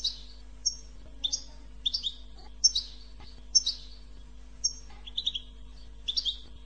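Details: Goldfinch 'bitbita' song used to encourage goldfinches to sing. Paired high chirps and whistles repeat about once a second, mixed with lower trilled notes and a brief buzzy phrase, over faint hum.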